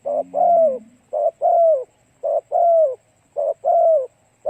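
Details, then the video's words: Lure recording of a spotted dove singing to attract other doves: paired coos repeated about once a second, a short clipped note followed by a longer hoarse falling coo, with a faint low hum at the start. "Cu gáy kích mồi tập bổi hiệu quả nhanh"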